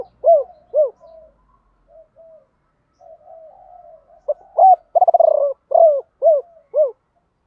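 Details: Spotted dove used as a decoy, singing the ba hậu style, also called bổ ba, to draw in wild birds: two arched coos, faint murmuring notes, then a quick pulsed trill and a run of evenly spaced coos.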